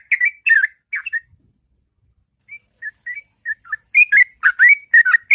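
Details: A sooty-headed bulbul delivers its long, sweet ngropel song at dawn: a burst of slurred whistles, a brief pause, soft isolated notes, then a louder run of quick, warbling phrases.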